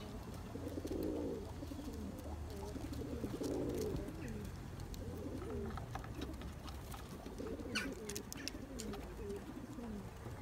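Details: Turkish tumbler pigeons in a loft chasing their mates to breed, giving deep, rolling coos in two strong bursts, with softer cooing between and a steady low hum underneath.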